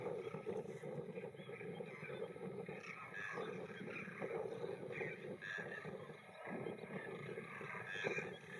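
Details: A large flock of thousands of Demoiselle cranes flying, walking and feeding in a field in India keeps up a dense, unbroken chorus of raspy, croaking trumpet calls that overlap throughout.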